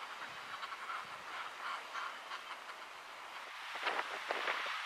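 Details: Common murres, subspecies Uria aalge aalge, at a breeding cliff at Látrabjarg, Iceland, in June 2019. A continuous dense din of many overlapping harsh calls, with louder rasping calls standing out toward the end.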